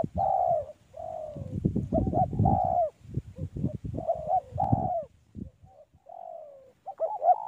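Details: In a mango orchard, a spotted dove repeats phrases of short and drawn-out falling coos. Heavy low-pitched noise, like handling or wind, runs beneath much of the calling.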